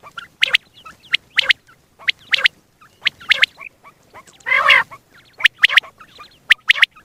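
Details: Single male quail heard morning and night in a hunting setting. Sharp, high, clipped notes come in quick groups of two or three, about once a second. A single loud, harsh honking burst intrudes near the middle.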